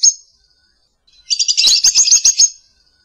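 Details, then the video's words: One short shrill squeak from a lovebird, a pause, then a quick rattling run of high, scratchy chirps mixed with faint clicks. "Lovebird Calling Sound"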